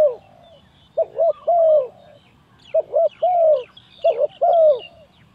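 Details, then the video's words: Spotted dove used as a trapping lure, three phrases of a double short coo then a drawn-out descending coo, with high chirping of other birds behind. "Very Good Trap dove លលកនេះចុះភ្លាមជប់ជុងភ្លាមពិតជាអេមណាស់"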